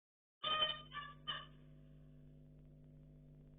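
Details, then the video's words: Pet zebra finches at play: three short nasal, honking calls in quick succession, then only a steady low electrical hum. "Zebra Finches | Beautiful | Sounds"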